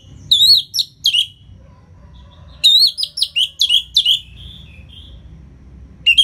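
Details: Orange-headed thrush song in ngeplong style, played to coax reluctant birds into singing: two bright bursts of rapid, slurred, looping whistles, each about a second long, separated by quiet gaps, with a brief third start at the end.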